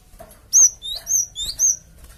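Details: Java sparrow lure call meant to draw answers from flocking birds: four sharp, high whistled chirps in quick succession, some rising and some falling, over faint background hiss.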